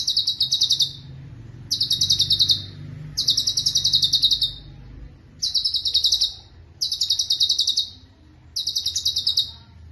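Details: Six rapid, bright trill bursts from a cucak cungkok, each a fast run of sharp high notes lasting about a second, separated by brief gaps over a soft low hum. This is a master song for training other songbirds.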